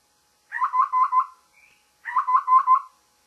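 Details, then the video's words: Morning call of a babbler: a pair of rolling four-note phrases, mid-pitched and slightly harsh, about one and a half seconds apart, with a brief thin note in the pause; otherwise quiet. "Babbler's morning call"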